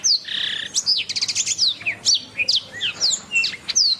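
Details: Canary song kept as a master recording for training songbirds; quick high whistled sweeps, a short buzzy opening note, then a rapid run of repeated descending notes and scattered bright chirps.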